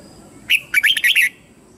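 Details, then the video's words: Lure red-whiskered bulbul singing to draw wild birds in for fighting, giving one bright whistled phrase: a sharp first note, a brief pause, then four rapid rolling, slurred notes, loud and clean against faint background hiss. "Chào Mào Mồi Hót Gọi Bổi Về Đấu / Chào Mào Hót Đấu chim Trời"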